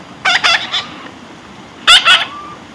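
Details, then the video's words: Two quick pairs of loud, rasping squawks come from a baby parrot being tamed. The pairs are about one and a half seconds apart, over steady background hiss. "natural funny parrot sound"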